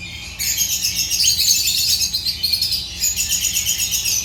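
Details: Agapornis lovebirds break into a fast, dense run of shrill chirps and twitters, easing briefly before resuming with rapid pulsed notes.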